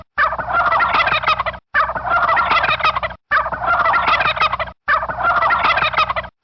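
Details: Turkey (Meleagris gallopavo), gobble.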